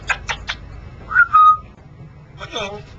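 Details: A male pet Congo African grey parrot, kept on a perch in a scuba diving shop by day, gives three quick clicks, a clear steady whistle, then a brief burst of speech-like mimicry.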